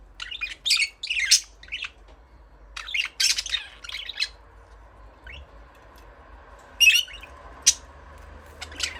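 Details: Budgerigars chattering with rapid strings of harsh, buzzy squawks and warbled chirps in irregular bursts, then a quieter stretch broken by sharp clicks and a few scratchy notes.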